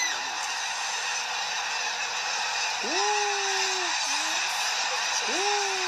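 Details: A vast flock of snow geese taking off together at Middle Creek lake: a continuous roaring wash of wings and calls, with two clear rising-then-falling honks standing out.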